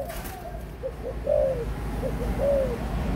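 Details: Adult spotted dove, 18 months old: a low cooing phrase of short notes and then a longer drawn-out coo, given twice, with faint background hiss.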